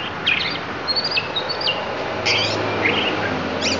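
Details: Oriental magpie-robin of the Lampung type bringing out its isian, the fill-in phrases of its song: a few sparse high whistled slurs and short chirps spread over a few seconds, against steady low background hum.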